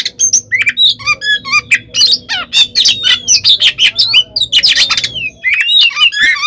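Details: Oriental magpie-robin fighting song meant to provoke rivals, a dense jumble of squeaky, buzzy and sliding whistled notes packed tightly together with little pause, ending in a brief quieter gap before more chatter.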